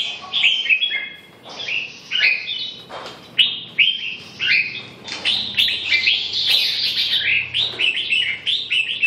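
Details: Red-whiskered bulbul in lively song, rapid sequences of whistled, slurred notes and sharp chips, phrases repeated with little pause, faint low hum behind.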